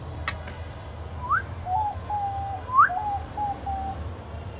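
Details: A lutino cockatiel whistles a short tune: a quick rising note, then a few level, clear whistles, sung twice.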